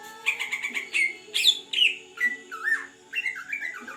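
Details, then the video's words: Greater green leafbird, forest bird from Beutong in Aceh, one month in care, opening with rapid repeated chips, then sweeping downslurred whistles and warbled rising-falling phrases; faint low hum throughout. "burung cucak ijo Big asli hutan aceh beutong rawatan satu bulan gacor door"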